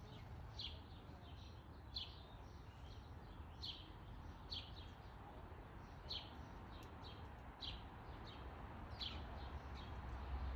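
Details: Black-capped chickadee (Poecile atricapillus) at a back-yard bird feeder in Calgary, Alberta, 12:05 pm on 6 July 2021, giving short, high chipping calls about once a second, faint over a steady low rumble of distant traffic or wind.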